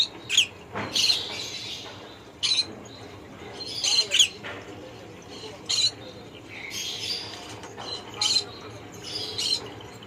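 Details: Conure giving harsh, raspy squawks in short bursts roughly every second, some paired or doubled, over a steady low background hiss.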